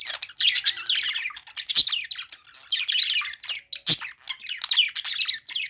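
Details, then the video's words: Chattering budgerigars playing together, with rolling, buzzy warbles and twitters plus two loud harsh squawks, one near two seconds and one near four. "parakeet chirping sounds | budgies playing sounds"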